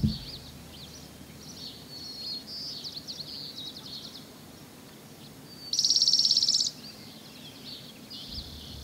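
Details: Spotted towhee song recorded on Lummi Island, Washington: one loud, fast, dry trill lasting about a second, set among softer, scattered high chirps from other birds over a steady low hum.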